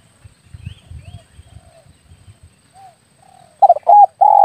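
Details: Spotted dove lure call for air-rifle hunting: soft low rumbling and faint distant notes, then loud coos at the end, two short broken notes and a long steady coo.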